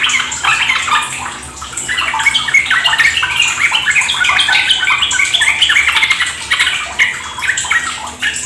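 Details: Rapid ropel-style singing of sooty-headed bulbuls used as a lure for kept birds; quick, irregular bursts of chattering notes, about three per second, rise in intensity, over faint running water.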